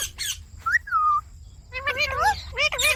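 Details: Indian ringneck parakeet talking: one long, clear, falling whistled syllable, a pause, then rapid bending speech-like notes mixed with raspy bursts.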